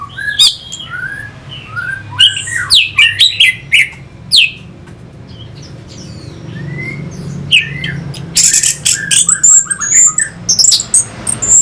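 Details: Orange-headed thrush lure song meant to excite fighting birds: varied sliding whistles and sharp chirps in uneven bursts, with a quieter stretch midway and a loud, dense flurry near the end.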